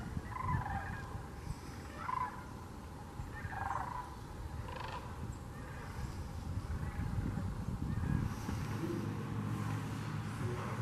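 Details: Sandhill or whooping cranes calling at Wheeler National Wildlife Refuge, Alabama, in mid-December: several trumpeting, rattling calls come in bursts roughly every one to two seconds early on, then fade under a steady low rumble of wind.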